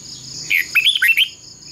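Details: Red-whiskered bulbul decoy bird singing in a fighting contest for voice training: one short phrase of quick slurred whistled notes, bright and bubbling, over a constant high background hiss.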